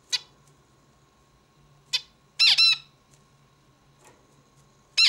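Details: Zebra finch giving scattered short calls: sharp nasal notes, a loud doubled buzzy note in the middle, and another at the end, separated by quiet gaps with a low background hum.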